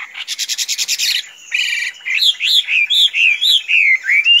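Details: Tame Chinese hwamei opens with a fast buzzy rattle of about ten pulses, then switches to a series of rising-and-falling whistled notes, each roughly a third of a second apart.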